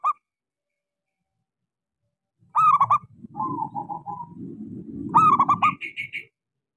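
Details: Local zebra dove lure song for doves that will not sing: a stuttered burst, then a rolling coo and another choppy phrase over steady low rumbling background noise, with a brief higher call near the end.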